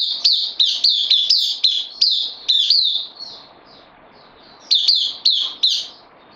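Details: A bulbul held in a cage, a newcomer on loan, recorded 12 September 2020, delivering a fast series of about eight crisp, high, slurred chirps, a pause of nearly two seconds, then four more similar notes.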